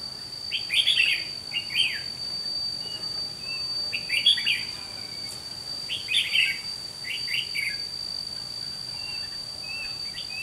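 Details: Red-whiskered bulbul used as a decoy bird in a trapping session in Vietnam, giving fighting song: short bursts of bright chattering warbled phrases, about four groups over ten seconds, with a steady high electrical whine and faint background chirps.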